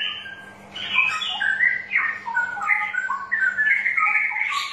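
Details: Song of a straw-headed bulbul played to encourage a reluctant bird into singing; a continuous flow of loud, melodious, gurgling whistled notes that jump and slide between pitches, with a light background hum.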